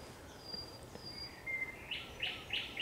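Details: Thrush nightingale singing at sunset on 30 May 2021. A drawn-out whistle swells into four loud, rich repeated notes, evenly spaced. Faint high whistling sounds in the background.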